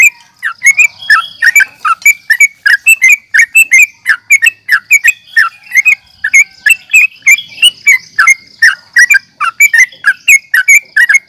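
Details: Sooty-headed bulbul calling aggressively for a fight, a continuous chatter of short, clipped, down-slurred chirps in quick succession throughout.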